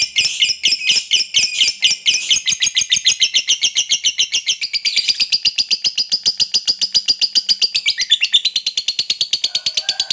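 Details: Lovebird performing an extended 'ngekek panjang' trill used to goad rival birds into singing: a dense run of shrill, buzzy pulses lasting the full ten seconds, pitch easing slightly downward, rhythm fast and unbroken.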